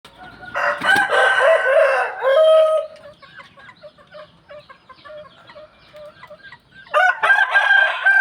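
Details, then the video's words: Roosters crowing at dawn: a loud harsh crow of about two seconds falling at its end, a quieter stretch of short clucks and chirps, then another crow starting near the close. "roosters crowing in the dawn, manok galing tumitilaok"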